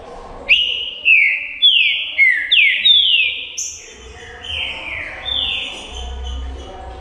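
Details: Green-winged saltator (trinca-ferro) singing: a run of loud, clear whistled phrases, each sliding downward, repeated about every half second, then softer, lower falling notes; faint low hum underneath.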